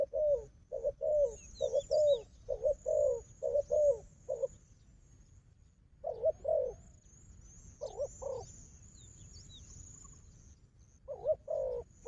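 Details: A strong-fighting wild dove and its decoy. A dense run of low coos comes first, then a long pause, then two short coo bursts and a final pair. Faint high twittering is heard throughout.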